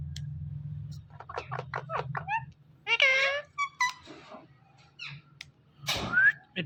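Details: Talking parrot: a quick run of short, speech-like harmonic syllables, then a louder drawn-out nasal call, scattered chirps and clicks, and a final rising squawk, over a steady low hum.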